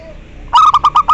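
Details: Zebra dove call played as a lure to stimulate mating and prompt replies: a loud rhythmic string of five or six hollow cooing pulses following a short low note.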